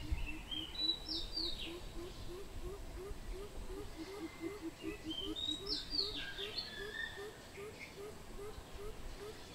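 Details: Greater coucal recorded 16 April 2020: a steady series of low, hollow hooting notes repeated about four times a second, with higher chirps and whistles from other birds above and a low background rumble.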